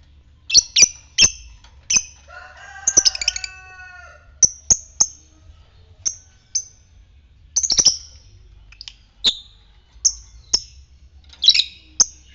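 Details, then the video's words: Fighter lovebird, ngetik, uttering sharp high chirps at irregular intervals, with a short burst of rapid buzzy harmonic notes near the start. "Pancingan lovebird ngetik fighter merangsang ngekek"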